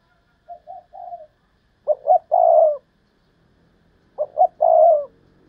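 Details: A decoy spotted dove giving its thúc lợi cốt call: a soft three-note run, then two loud phrases of two clipped notes and a long throaty coo, spaced about two and a half seconds apart.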